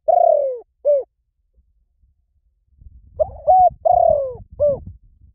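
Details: Spotted dove lure call, loud hooked coos falling in pitch, delivered in two phrases of burbling and drawn-out notes separated by a silent gap, with soft low rumbling noise under the second phrase.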